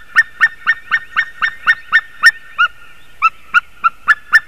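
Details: White-tailed eagle recorded at 06:26 on 28 March 2019: a run of sharp yelping notes, about four per second, then a short pause before the yelps resume, with clean, quiet surroundings.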